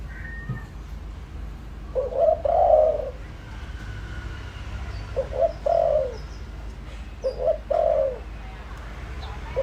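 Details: Decoy spotted dove calling to pull in wild birds: several paired coo phrases, a quick short note then a fuller rounded coo, repeated every couple of seconds with a slight background hiss.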